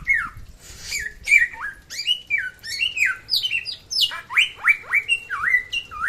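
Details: Samyong from NTB (West Nusa Tenggara), singing briskly: a fast run of clear whistled notes, many sliding down then up around a steady middle pitch, some higher chirps above, packed closely with hardly a pause.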